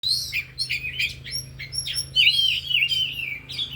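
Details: Oriental magpie-robins, four birds at an afternoon training session, showing off their isian (fill-in song repertoire): bright whistled phrases, sweeping slurs and sharp high notes, delivered in quick varied bursts over a faint low hum.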